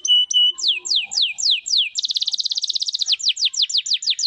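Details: Canary in full 'gacor' song with a 'cengkok mewah' (rich variation) style: a few steady whistled notes, then sharply down-slurred notes repeated about three a second, breaking into a rapid rolling trill before returning to slower down-slurs.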